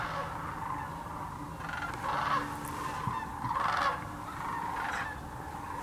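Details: A vast migrating sandhill crane flock at Tennessee's Hiwassee Wildlife Refuge in Birchwood: a low chorus of overlapping calls, broken by two louder, nearer bursts of rattling bugles around the middle and later. Recorded on GoPro Hero 9 and Canon PowerShot cameras.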